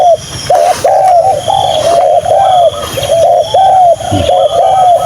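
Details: Young spotted doves (Spilopelia chinensis), a pair kept as decoys, being trained with their parent on a pleasant Saturday in farmland near home, rain expected, give a steady run of mellow mid-pitched hooting notes, about two each second, faint voice and rustling behind.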